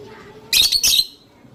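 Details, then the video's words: Lovebird calling sweetly, two loud harsh squawking bursts in quick succession, high and broadband, the second slightly longer, with quiet background between. "Love birds sounds..... লাভ বার্ড পাখির মিষ্টি করে ডাকার শব্দ"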